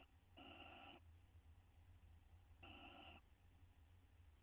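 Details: Two short harmonic, nasal owl calls about two seconds apart from a bonding pair inside a nest box in May 2011, with a constant low hum underneath.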